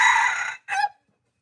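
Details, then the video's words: Red junglefowl, from a mixed recording, giving a brief crow fragment: a loud, harsh, strongly harmonic note lasting about half a second, then a short pause and a shorter, falling final note ending abruptly. "Mix red junglefowl qaib dib qaib qus txuam txoov"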